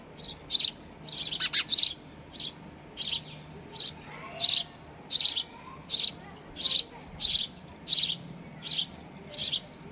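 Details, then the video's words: Sparrow nestlings begging at feeding time, given raw insects: a quick cluster of high chirps, then a regular series of sharp, shrill chirp bursts about every 0.7 seconds, against faint background hum. "Sparrow Bird feeding Babies Raw Insect"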